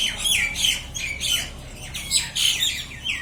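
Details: Fighting common mynas give harsh, grating squawks in quick bursts, about two or three each second, with a faint background hum.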